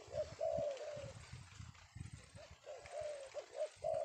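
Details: Afternoon recording of a captured male spotted dove, a bird trappers seek: repeated low coos, short notes leading into longer falling ones, over rumbling low thuds and background hiss.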